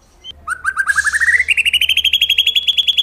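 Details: Caged white-rumped shama in competition form delivering a trill that starts low and climbs steadily in pitch, notes repeated rapidly, with a brief noisy burst partway through.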